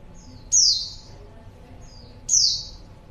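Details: Female white-eye calling to lure males: two short, thin, high notes that sweep downward, spaced about two seconds apart, over a faint low background hum.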